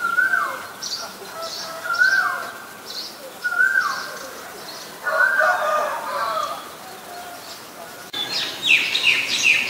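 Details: Scaly-breasted munias (Lonchura punctulata) at Ubon Ratchathani, Thailand, 7 January 2020, give soft, descending whistled calls every second or two, with higher twittering notes and a burst of chatter near the end.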